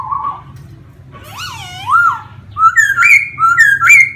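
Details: Laughingthrush song of varied loud whistles: a steady note, then swooping looped phrases, then three bright rising-and-falling whistled phrases with ringing overtones, each about half a second long, over a low hum.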